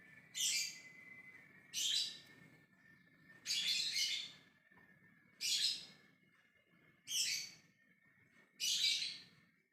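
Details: Ngekek calling by a lovebird trying to draw a reply from others: six coarse, buzzy screeches repeated roughly every one and a half seconds, quite evenly paced, over a faint steady hum.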